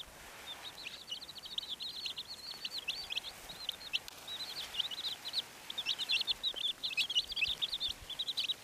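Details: Red Silkie chicks peeping in a dense, continuous chorus of short high chirps, many rising or falling sharply, overlapping with no pause, over faint rural background noise.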